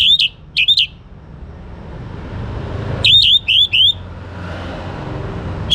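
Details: Young orange-headed thrush singing actively, used to prompt other birds to sing: two bursts of quick, looping high whistled notes, three then four in a row, over steady low traffic-like rumble.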